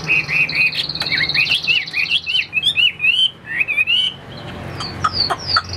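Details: Caged Chinese hwamei sings loud, clear whistled phrases that rise and fall, sliding and warbling through varied notes, with short sharp upslurred notes near the end.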